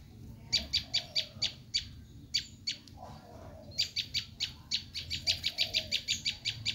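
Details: Bar-winged prinia screaming, a lure for wild birds: a handful of harsh high notes, a pause of about a second, then a longer, faster, denser burst of rasping notes.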